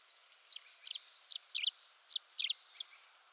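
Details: Tree swallow calls: seven quick, slightly buzzy high chirps spaced unevenly, some doubled, against a soft background hiss.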